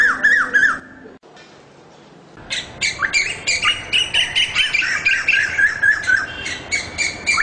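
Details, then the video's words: Asian koel giving loud, shrill notes in rapid series, about four a second, each note sliding upward with a bright ringing tone. A short silent break follows an abrupt cut, then the fast run resumes steadily. "เสียงนกกาเหว่า (ดุเหว่า) Asian koel"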